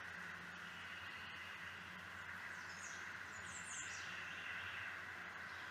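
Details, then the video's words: Acadian Flycatcher in Mississippi giving its sharp, explosive, high two-part song, stressed and rising, likened to the word 'pizza', over a steady low hum and hiss. "And the Acadian flycatcher, the mnemonic for its song is that it's saying the word pizza, pizza."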